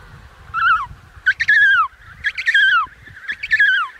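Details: Emperor penguin (Aptenodytes forsteri) of the Antarctic gives four brassy, harmonic calls about once a second, each wavering and then sliding downward at the end, over a faint low rumble.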